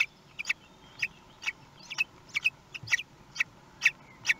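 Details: Common kestrel nest in Théding, France, 2 June 2020, during a feeding with large prey; sharp short clicking chips repeated roughly twice a second, with a faint whine in between.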